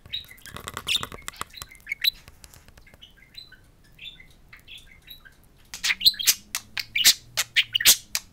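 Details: Pet budgerigars, two talking parakeets, speaking to a mirror indoors; soft warbling chatter at first, then a burst of loud rapid clicks and sharp chirps toward the end.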